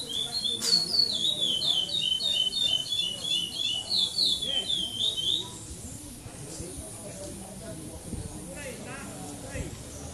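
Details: Chestnut-bellied seed finch, a brown-plumaged male, in a 2014 Praia Clássico song contest at São Domingos do Maranhão, Brazil; about five seconds of quick, sweet, looping whistled phrases without repetition, followed by background chatter and crowd noise.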